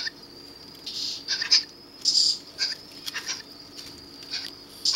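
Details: Three young Eurasian scops owlets at a wildlife rescue centre at Monte Adone, Italy, in early July 2012, after falling when their nest tree was felled; short, hissy, high bursts come in irregular clusters over a thin, steady high whine.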